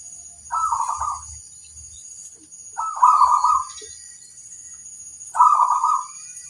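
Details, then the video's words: Zebra dove, a local bird, singing a master song used to draw replies from other doves: three rolling, bubbly coo phrases spaced about two and a half seconds apart over a faint constant hiss. "suara sang masteran burung perkutut - lokal memanggil"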